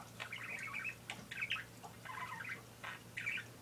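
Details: A pet parakeet indoors gives squawky, scratchy chirps in short bursts, a few per second, separated by brief pauses, over a steady low electrical hum.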